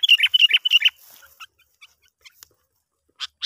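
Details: Sooty-headed bulbul call used as a lure to draw other bulbuls: a rapid run of bright, bubbling notes repeated about three times a second, then scattered short chirps and two sharp high notes after a pause.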